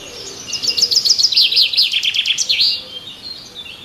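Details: Birds chirping in the trees, giving a bright run of quick, high, slurred chirps in fast succession for about two seconds. The run ends in a lower down-swept note, followed by quieter twitters.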